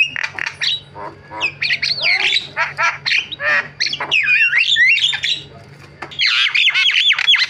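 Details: Javan myna delivering a long varied song of rapid harsh chattering notes, buzzy squawks and looping whistled slides, with a brief pause before another dense burst of squeaky twisting phrases.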